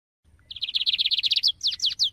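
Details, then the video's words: Lined seedeater (bigodinho) singing: a fast, even trill of about fifteen high buzzy notes, then several louder slurred whistles sweeping downward, each separate; a faint low hum beneath. "VEJA AGORA OS 7 CANTOS MAIS BONITOS E MELHORES DO BIGODINHO!"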